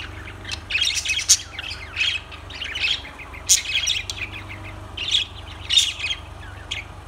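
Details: Separate bursts of shrill lovebird chirps and squeaks about every second, with brief quiet gaps between the calls.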